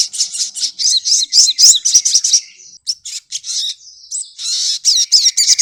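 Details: Sogokontong, a pet songbird, singing a rapid, high-pitched chattering song of dense trills and twittering notes, with a short pause near the middle and the pace picking up again toward the end.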